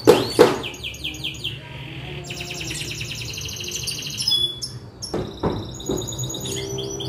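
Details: Lively young canary singing freely: an unbroken run of fast high trills, buzzy rattles and short whistled slurs changing pattern every second or two, with a couple of sharp clicks at the start.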